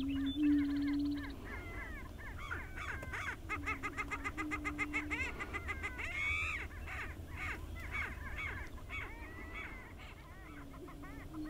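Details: Five male greater prairie chickens displaying on their lek at Wray, Colorado, on 26 April 2019: low, hollow booming moans under a busy chorus of sharp, crow-like cackles and whoops, several per second.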